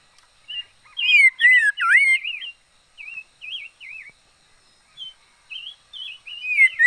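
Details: Red-faced liocichla decoy bird singing a loud cluster of swooping, rich whistles, followed by a string of short wavy whistled notes and a final rising-falling whistle.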